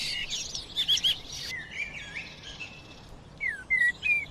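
Sparrow song: a dense burst of high chirps, then short slurred whistles and clear chip notes at a quick, uneven pace. Other birds chirp in the background.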